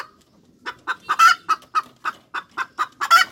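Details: Cackling hens give rapid, punchy clucks roughly three to four a second, with two louder, strained squawks breaking through the steady series.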